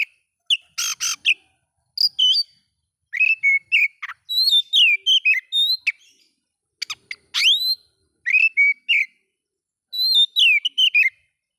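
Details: Oriental magpie-robin singing to provoke other magpie-robins: bursts of clear whistled notes, sliding and warbling, mixed with harsh rasping notes, in phrases separated by short pauses, against a quiet background.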